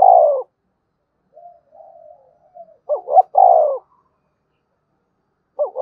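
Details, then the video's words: Spotted dove cooing in the 'gáy thúc' and 'gáy gọi' manner. A drawn-out coo opens, soft faint notes follow, then a clipped double note and a strong falling coo, and another phrase begins at the end. "Chim cu gáy thúc và gáy gọi cực đỉnh giọng rất hạp bổi"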